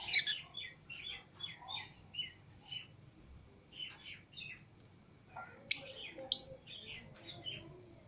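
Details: Pet lovebirds, Fischer's and lutino pairs, flying free outside their cage with other lovebirds; a run of short squeaky chirps repeated roughly every half second, then two sharp loud shrieks near the end.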